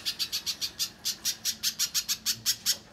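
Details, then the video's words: A little spiderhunter in full song, used as a lure to prompt other spiderhunters to sing, gives an even, rapid series of sharp, high, scratchy chip notes, about six a second, with nothing else heard. "Pijantung Pisang Gacor"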